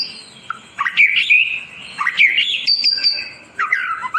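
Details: White-rumped shama song, used as a long tutor recording for shamas that have stopped singing: bright whistled phrases of rising and falling notes, broken by short pauses, with one high, thin, sustained whistle near the end.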